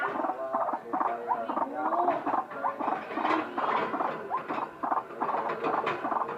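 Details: A white-breasted waterhen with an unusual voice, giving a busy, continuous chatter of raspy croaks and short nasal upslurs, closely packed and overlapping, with a few sharp clicks.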